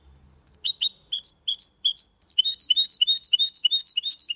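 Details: Goldfinch × canary hybrid singing a clean Malaga-style song without errors: sparse high chirps give way to a fast, dense run of repeated bright, sweeping whistled notes, about three per second, loud and clear.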